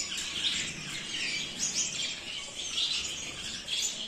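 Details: Zebra finch chorus: many bright, high chirps and short nasal squeaks overlapping throughout, from birds native to Australian grasslands and about nine centimetres long.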